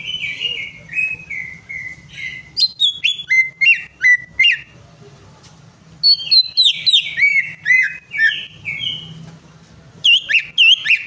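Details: Greater green leafbird singing, as a lure for a bird that will not sing: a falling series of whistled notes, fast sharp chips, a pause, then more varied ringing phrases and a rising final burst.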